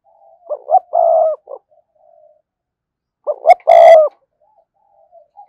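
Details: Spotted dove cooing, used as a lure to attract wild doves: two phrases, each of short rising notes leading into a long low coo and a brief closing note, separated by silence.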